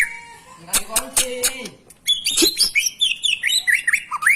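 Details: White-rumped shama song used as a tutor to get young or lazy birds singing; varied whistled phrases, rising and falling notes with quick slurs, following a burst of harsh broadband rattling notes at the start.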